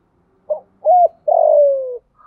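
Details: Spotted dove kept as a decoy, calling to lure wild doves: a short hoot, a rounded coo and a long gently descending coo, with the start of another bird's coo at the end.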